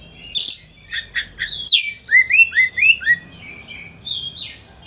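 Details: Oriental magpie-robin singing energetically to provoke a rival into opening its tail: a rapid burst of sharp high chirps followed by a run of rising whistled notes, about two per second, then varied warbling phrases.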